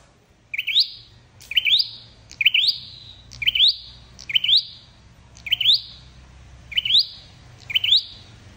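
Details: Lure recording for trapping a flowerpecker: eight evenly paced, bright rising squeaks, each stretching into a thin fading whistle, with a soft low hum below.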